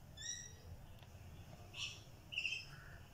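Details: Rainbow lorikeet chicks giving brief squeaky calls rich in overtones, three short notes spread over about three seconds, the later two louder and rasping, against a steady low background hum.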